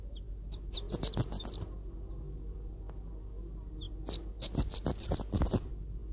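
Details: Horned lark song from high mountains above the tree line: two bursts of high, thin, tinkling twitters, quick jingling notes with short gaps, over a low steady rumble.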